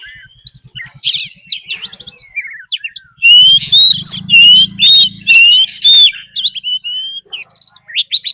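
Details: Oriental magpie-robin decoy bird giving fighting song, mixed with a wild female's call, used to provoke other birds: loud, clipped, rising whistles and rapid chirps, with a low hum underneath in the middle.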